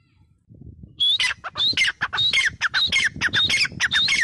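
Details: Grey francolin giving loud, ringing, repeated phrases, each a high whistled note sliding downward followed by harsher clipped notes, cycling about every half second, with faint low background noise.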